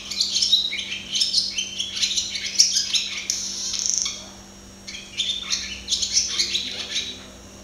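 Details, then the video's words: Barn swallow (Hirundo rustica) singing at close range, long twittering phrases with a buzzy drawn-out note, a short pause, then more rapid high chirping. "Canto de golodrina - Song of barn swallow - Canto da andorinha-das-chaminés"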